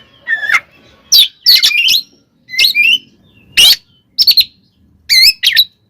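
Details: Oriental magpie-robin's provoking fighting song: scattered bursts of harsh, scratchy notes mixed with bright looping whistles, in short phrases about half a second apart.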